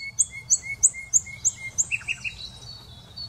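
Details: Common nightingale delivering a fast regular series of sharp high notes paired with lower whistles, then switching to a short buzzy stuttering trill that fades out.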